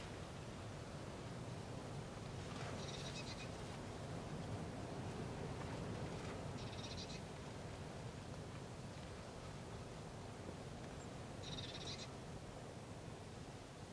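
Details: Great spotted woodpecker in Sandomierz Forest, Poland, 2018, giving three short, sharp, high calls about four seconds apart over a steady low rumble of wind or distant traffic.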